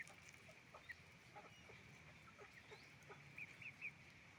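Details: Hens and roosters heard on a chicken farm: soft clucks and brief high peeps spread across the recording, ending in a quick run of three sharp chirps over a low steady hum.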